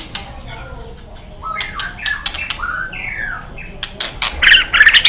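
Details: White-rumped shama kept as a caged songbird, singing a mix of slurred whistles and downward glides between clicks and rattles, growing louder into a burst of harsh scratchy notes at the end.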